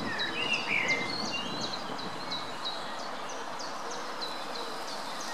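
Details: Feeding greylag goose goslings at the Munich Botanical Garden give thin, high peeps about three times a second, with a brief whistled note early on, over steady rustling background noise.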